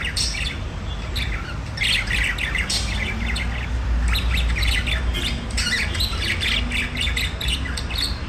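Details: Singing budgerigars give rapid squawky chirps and scratchy warbles in repeated clusters. A noticeable low hum and droning background run underneath the chatter throughout.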